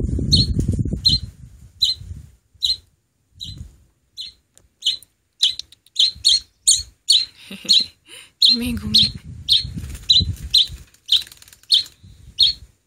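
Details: Hand-reared oriental greenfinch nestling, rescued almost bare and now seven days in care with feathers grown in: bright high chirps, sparse at first then quickening into a rapid run, over low thumping and handling noise.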